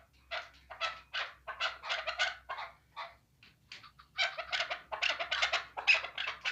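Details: Chukar partridge kept for hunting, uttering coarse, broadband chuck notes in irregular clusters, with brief pauses between bursts and a faint low hum beneath.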